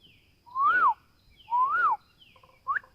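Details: Bird singing in a forest: two clear slurred whistles, each rising then falling over about half a second, followed by a short upward-flicked note, with a quiet low background.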